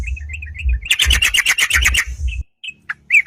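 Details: Yellow-vented bulbul singing to challenge rivals, a song used as a lure: a few soft chirps, then a dense second-long burst of harsh, rapid notes and scattered sharp calls, over low rumbling noise.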